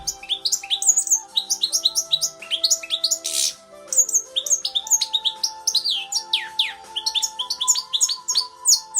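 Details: Captive, hand-tamed European goldfinch from the Netherlands, trained to sing British finch song from a CD: fast, continuous twittering of sharp rising and falling notes with a brief buzzy burst, over faint steady background tones.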